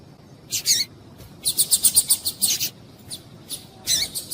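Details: Female double-collared seedeater calling, used to stimulate males to sing: short, very high thin chirps, some in a rapid run of about eight notes, others isolated, over quiet background.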